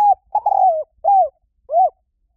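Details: Spotted Dove call used as a lure to attract wild doves quickly: soft, hollow coos around middle pitch, a longer drawn-out note followed by two shorter arched coos about half a second apart.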